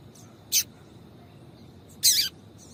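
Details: Calling female yellow-bellied seedeater, meant to excite the male: two bright high chips about one and a half seconds apart, the second longer and slightly buzzy, with fainter notes around them over a quiet low background.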